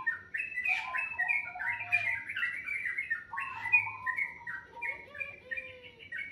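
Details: Continuous morning song of a bird, rapid whistled notes alternating between high and lower pitches in a rambling sequence, with occasional short trills, close and clear over a quiet low hum.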